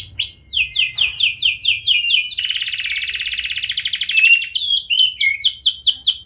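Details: Canary lure song aimed at drawing replies from other canaries: fast chirping trills give way to a long buzzy, grating roll before crisp swooping notes resume, repeated several per second.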